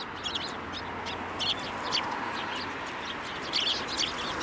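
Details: Eurasian tree sparrows coming to a hand for food at a Tenmangu shrine, Japan, 9 December 2023; quick bright chirps in loose groups over a broad background hiss.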